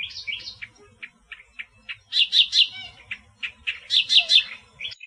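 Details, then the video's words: Song of an Australian reed warbler, beginning with spaced single chips, then loud churring triplets that rise in strength, a pause, and the same loud rasping burst repeated. "Burung Kerak Basi Australia Suara Asli Kicauan Alam"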